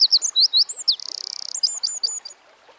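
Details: Singing Eurasian wren in the wild, delivering a rapid burst of squeaky high notes, a sustained machine-gun trill and a closing flourish of quick clipped notes, loud and energetic.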